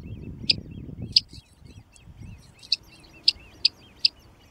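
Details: Great crested grebe with chicks at Tovačov ponds, Czech Republic, 2013–2014: sharp, very high ticking notes at irregular intervals, with soft thin piping between them and low rumbling in the background.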